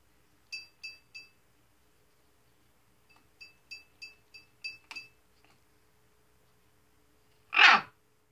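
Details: A pet talking macaw, just after his shower, gives short, clipped whistled notes in quick runs of three and then six, followed by a single loud, harsh squawk.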